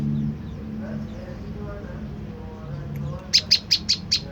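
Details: Prenjak lumut tailorbird lure sound intended to make wild birds respond: after a quiet stretch of low hum, five crisp high chips come in a steady run at the end.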